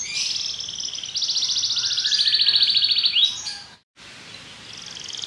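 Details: Belgian canary delivering a long fast rattling trill after a short opening figure, ending in a rising note, then a brief pause and a softer trill resuming.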